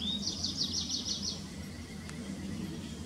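A tree pipit song fragment: a rising note, then a quick run of about six high, sweet trilled notes lasting a second, over low background rumble.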